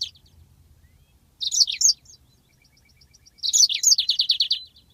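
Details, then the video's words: Long rolling song of a yellow-fronted canary, recorded as a training master: bursts of bright warbled twitters separated by gaps, ending in a rapid descending series of short, evenly repeated trill notes. "masteran handal burung Mozambik ngeroll panjang"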